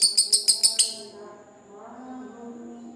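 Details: Lovebird of fighter type giving its long ngekek trill, used to provoke rival birds so quiet ones answer; six rapid, shrill, harsh notes in the first second, then a soft low murmur of tones.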